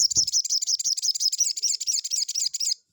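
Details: Crested jay lure call meant to provoke a rival: a loud, continuous, rapid, buzzy rattle of high notes lasting almost three seconds, then stopping abruptly, with a brief low knock at the start.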